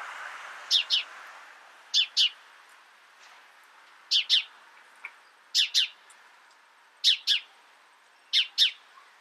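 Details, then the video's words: House sparrow giving short high chirps, mostly in quick double notes, spaced about every one and a half seconds over a quiet background. "House Sparrow Bird Sound, Bird Song, Bird Call, Bird Calling, Chirps"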